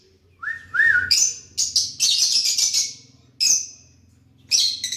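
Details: Lovebirds interacting: two short rising whistles followed by a dense series of grating screeches, then two more isolated harsh squawks over a faint low hum.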